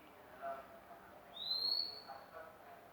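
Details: One long, bright whistle from a magpie-robin, rising slightly and lasting about half a second, amid quiet background murmur.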